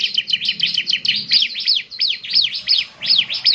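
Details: Bar-winged prinia in full song, a rapid stream of high, piercing chirps, each a steep downward slur, repeated about three times a second without a break.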